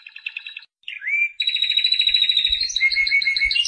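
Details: Canary of the Spanish Timbrado breed: a brief trill, a rising whistled slur, then a long steady rolling trill with a lower whistled tone joining near the end; faint low thumps beneath.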